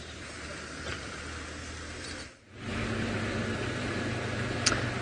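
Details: Steady engine hum and hiss from a vehicle on an early-morning safari drive, with a brief dip in level midway and a faint click near the end; no animal calls.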